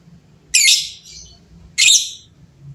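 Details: Several lovebirds call back and forth in a noisy exchange. Two harsh, raspy shrieks about a second apart, each sliding into a fading buzzy tail, with a faint low hum underneath.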